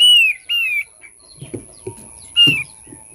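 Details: Thick-billed white-eye whistling for luring birds: three bright, falling whistled notes, two close together at the start and one later, with soft knocks and thuds between them.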